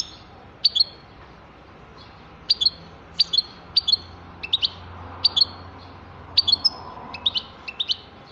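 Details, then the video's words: European goldfinch giving short, bright twittering chirps in small clusters of two or three notes, repeated at irregular intervals of about one to two seconds, against near silence. "تغريد حسون رائع"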